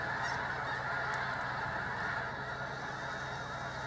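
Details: Agitated Snow Geese, a large flock at Sacramento National Wildlife Refuge, California, give a continuous clamour of rapid, overlapping honking calls, evenly loud throughout, with a faint low drone underneath.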